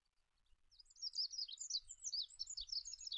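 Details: Olive-backed pipit song building from near silence into a loud, hurried jumble of high thin twitters and buzzy trills. A soft low rumble sits underneath.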